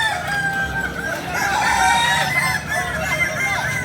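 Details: Kukuak Balenggek roosters from Solok, West Sumatra: multiple sustained, tonal crows ring together, swelling loudest in the middle, with dense background noise throughout.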